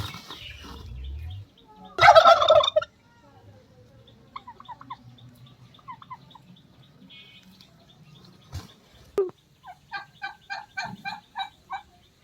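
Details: Turkey (Meleagris gallopavo), gobble.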